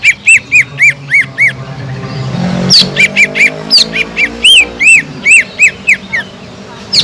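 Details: Provoking song of a gacor cucak ijo, or Sumatran leafbird: repeated loud arched whistles in a quick run, a brief lull, then rapid rising and falling notes with occasional sharp high slurs; faint low hum behind.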